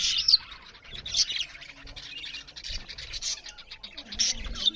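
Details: Several budgerigars chattering as they eat: quiet, continuous high twittering, with brighter sharp chirps near the start and end.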